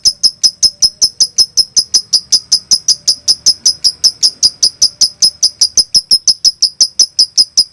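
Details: Konslet lovebird sound used to goad silent birds into singing: a long, metronome-like train of piercing short clicks, roughly five per second, unchanging in pitch, with faint low background hum.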